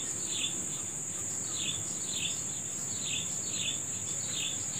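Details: Bird calling in the morning in nature, with bright falling chirps spaced around two thirds of a second apart, seven or so in all, overlaid on an unbroken shrill insect chorus.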